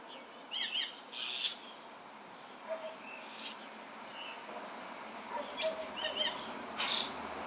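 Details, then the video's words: Austral thrush recorded in Ancud, Chiloé, on 12 December 2016: brief clear whistled notes near the top of the range, some paired, scattered irregularly over a steady hiss of background noise. "Zorzal vocalizando"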